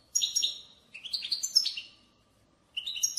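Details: Batbata of a European goldfinch, played to encourage goldfinches to sing. Two rapid clusters of high, tinkling twitters with metallic overtones, a pause, then a fresh burst begins.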